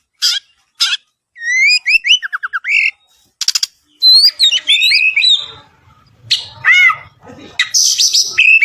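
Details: Oriental magpie-robin from Palembang singing very actively: loud, clear whistled phrases with rapid slurred notes, trills and sharp chirps, broken by short pauses, sometimes sweeping up and down.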